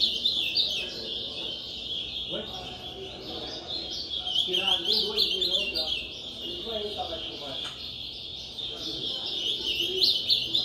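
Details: Ultramarine grosbeak of the piá style in a singing competition, repeating its song about 12 times a minute amid crowd noise; high warbled phrases run continuously over murmuring voices and low background chatter.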